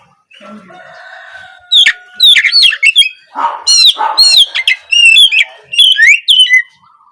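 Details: Spotted 'trotol' Oriental magpie-robin, an untrained bird, singing at dawn as a lure for other songbirds. After a faint low hum, a rich, varied run of loud whistles, quick sweeps and a few harsher notes carries on for several seconds.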